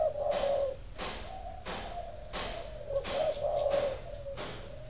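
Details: Spotted dove cooing, kept for breeding and meant to stimulate egg laying; low, soft rolling coos run through the clip under sharp, regular tapping noises repeating every three-quarters of a second.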